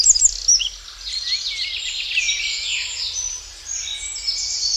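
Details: Common redshank giving flight calls as it flies over woodland, with short high piping and descending whistled notes scattered through the stretch, set against a steady low rumble and faint hiss.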